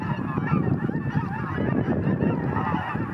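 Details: Cackling geese in a flock taking off: a dense, overlapping chorus of short nasal honks and yelps that never lets up, with a heavy low rumble of wingbeats and movement underneath.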